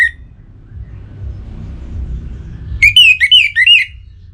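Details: A kept orange-headed thrush in North Bali, aroused and challenging a rival. After a faint note and a quiet gap, it gives a quick, lively phrase of about four looping, whistled notes.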